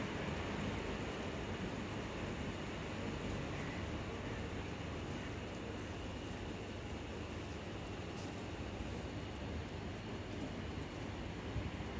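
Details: A continuous low rumble like a passing train or heavy vehicle fills the whole stretch. No animal voices stand out above the mechanical noise.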